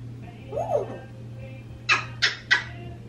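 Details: Pet African grey parrot, 26 years old, and 16-year-old Quaker parrot left alone indoors; a short rising-falling whistle, then three sharp broadband beeps or clicks in quick succession over a steady low hum.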